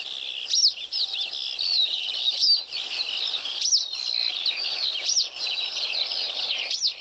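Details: Western Yellow Wagtail (Motacilla flava) giving its clear, sharp, high upslurred call, likened to "troll", about every one and a half seconds, over a steady bed of thin, high twittering from other birds.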